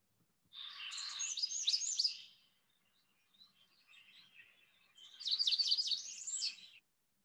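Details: An American Redstart sings two high, thin, jumbled phrases, each about two seconds long, with softer scattered notes between; a springtime bird of South Carolina.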